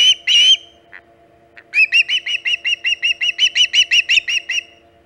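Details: Osprey reaching its nest on Hog Island early in the morning, 13 August 2019, 5:37 am EDT; two loud shrill whistles, a brief pause with soft notes, then a string of about sixteen evenly spaced piercing chirps.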